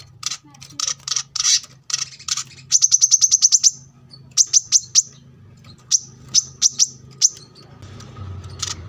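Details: Kolibri kelapa, the brown-throated sunbird, in a masteran training recording for cage birds near a road: bursts of high chirps and a quick evenly spaced trill, then scattered sharp notes over low rumbling background noise.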